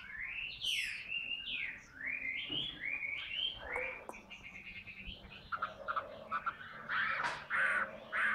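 A hwamei sings a rich, varied run of loud slurred whistles, rising and falling, ending in harsher chattering notes and bright repeated phrases.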